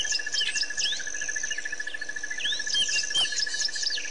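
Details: White-fronted bee-eaters recorded 10/9/07 at Pete's Pond, Botswana: dense overlapping nasal chirps and upswept squeaks from several birds. A rhythmic insect trill pulses steadily beneath, with a faint high insect whine.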